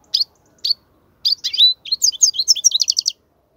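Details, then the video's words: European goldfinch song for teaching young goldfinches: two short separate chirps, then a fast, high twittering run of buzzy and tinkling notes that ends in a quick trilled series of clipped notes. "افضل نصف ساعة تغريد الحسون , لتسميع الفراخ"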